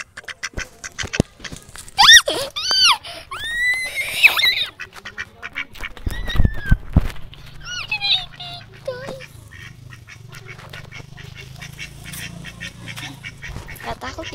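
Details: Pet domestic ducks give bursts of high, arched, squeaky calls in quick runs, mixed with clicks and clatter, with a low steady hum through the second half.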